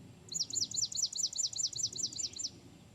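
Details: Swamp Sparrow singing in Pennsylvania: a close, bright trill of about a dozen quick, evenly repeated high chirping notes over roughly two seconds, with faint low background noise.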